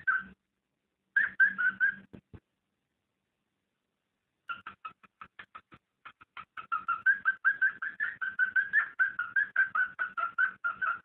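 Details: Cockatiel mating call meant to encourage breeding: a few brief whistles, a pause, then a long run of rapid repeated whistled notes, about two and a half per second, steady in pitch.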